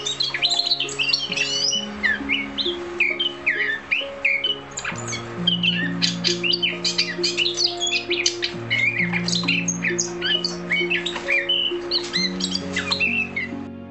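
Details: A captive Eurasian Blackcap, a songbird kept at home since 2016, sings a quick, varied warble of bright chirps and twittering phrases, over steady background music with long low tones.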